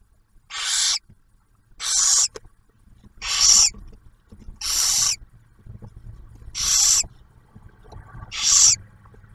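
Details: Barn owl at a nest box camera in Ottawa National Wildlife Refuge near Oak Harbor, Ohio, as the male delivers food and the female shares a meal with the first hatched owlet. Six harsh, broadband hissing screeches repeat roughly every one and a half seconds.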